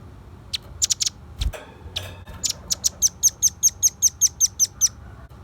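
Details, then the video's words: Velvet-fronted nuthatch singing actively, used as a lure and tutor recording: a few scattered high chips, then a steady run of sharp, high, evenly spaced notes about six per second, over faint background hiss. "Suara kicau pancingan burung rambatan paruh merah gacor"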